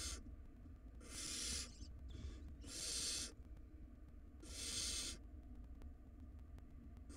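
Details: Wild barn owl chicks tug at a large rodent in their nest box, producing three long harsh hissing screeches roughly every one and a half to two seconds, with a brief softer wheeze between, low hum underneath.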